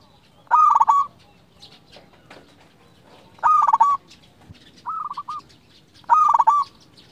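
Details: Zebra dove, local bird, singing for luring and training other doves: four rapid rolling coo phrases at intervals of one to three seconds, mostly loud with harmonics, one softer.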